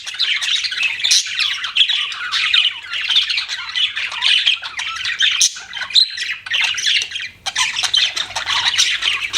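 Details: Budgerigars chirping continuously, a dense overlapping chatter of harsh squawky chirps and warbles with brief gaps, as from a group of pet birds.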